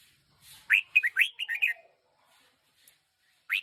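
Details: A one-year-old decoy red-whiskered bulbul gives one quick phrase of about six bright, chirpy, warbled notes, then falls quiet before one last sharp note at the end.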